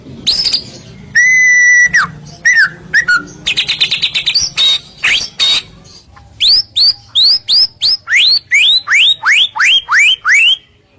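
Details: White-rumped shama song played as a provocation for other shamas: a long clear whistle and buzzy trills, then a steady series of about a dozen sharp rising whistled notes, several each second.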